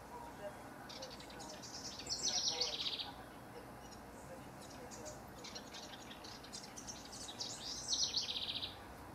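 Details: June 2015 recording of rival house wrens. Two rattling, bubbly song bursts about five seconds apart, each a rapid chatter of high notes ending in a descending run.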